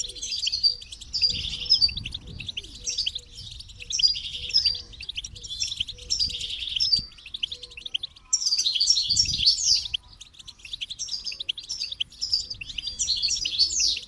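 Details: Long stretch of goldfinch twittering in dense, high, jangling phrases separated by short pauses, over a faint low repeated tone.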